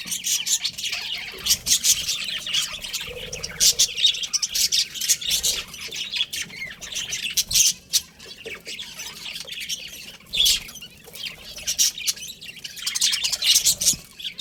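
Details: Budgerigars chirping: dense, continuous high chatter of rapid scratchy twitters and squeaks, with short bursts and brief pauses throughout, and no other clear sounds.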